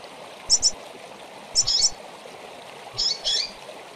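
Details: Female double-collared seedeater calling for a caged learner bird: three bursts of quick, high chirps, each a tight cluster of two or three notes, over a continuous background like flowing water.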